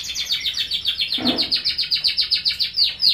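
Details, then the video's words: A domestic canary sings a fast, high, rolling trill of repeated chirps, about four notes per second, with a brief low thump partway through. "Suara Burung Kenari Gacor"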